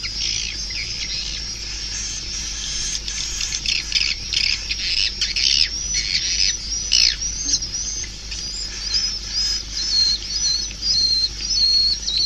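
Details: Swiftlets calling: a dense, continuous chorus of high, thin chirps and rapid twittering trills, with a few clearer whistled notes toward the end and a low hum beneath.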